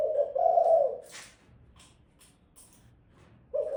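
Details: One full low, rounded coo phrase from a female spotted dove, then a pause with faint clicks before the next coo begins.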